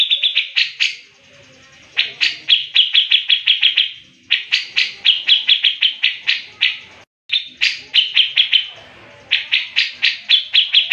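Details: Grey-cheeked bulbul (Alophoixus bres), song.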